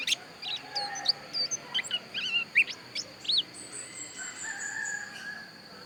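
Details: Pleci dakun white-eye from Pupuan, Bali: a scattered series of short, high, sharp chirps and upslurred whistled notes, with a steady high hiss and a faint lower drawn-out note in the background.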